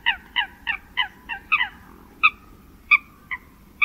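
Eurasian coot calling in short, sharp nasal notes, first about three per second, then slowing to scattered single calls; the background is otherwise quiet.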